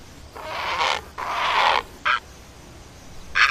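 A great egret gives two long, harsh, rasping croaks, then two short gruff grunts, against a quiet background.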